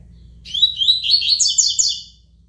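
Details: High, bright tui tui song of a coleiro (double-collared seedeater): one continuous run of rapid chirping notes, climbing slightly in pitch and lasting close to two seconds, over a low steady hum.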